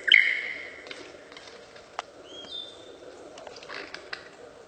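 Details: A lyrebird mimicking other birds and laser-gun sounds: a loud burst of high twittering at the start, a sharp snap, then a thin level whistle and softer scattered notes.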